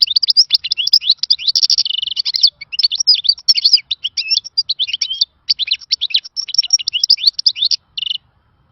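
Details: Rare old-style khalawi song of a European goldfinch, valued for training. A nearly unbroken stream of rapid tinkling twitters and rolling trills, with a short buzzy note near two seconds and a final sustained note.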